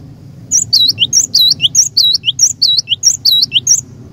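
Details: Cinereous tit (glatik batu), a lure bird meant to set rivals singing, repeating bright, high two-note whistled phrases about three times a second over a steady low hum.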